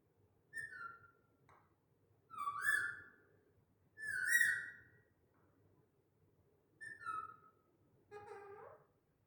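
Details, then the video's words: Talking pet parrot kept by a family, indoors; five separate drawn-out phrases over nine seconds, warbling and wavering with a nasal, whistled tone, the middle ones loudest, the last lower and buzzier, in a quiet room. "the talking family parrot"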